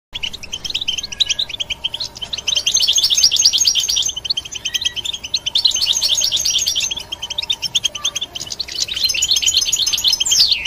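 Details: European goldfinch (Carduelis carduelis), song.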